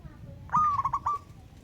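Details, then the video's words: A single clear coo from a local wild zebra dove calling a rival: a long steady note running into four short rolling pulses, over soft low background noise. "Burung Perkutut LOKAL Alam Ngayer Memanggil Lawan Ikutan Manggung Gacor"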